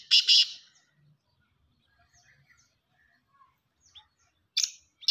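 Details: Loud rasping double burst at the start, faint scattered chirps and soft whistled notes in the middle, then two more harsh, grating notes near the end, consistent with a black francolin calling.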